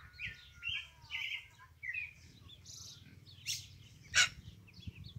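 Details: Pale-breasted thrush (Turdus leucomelas), song.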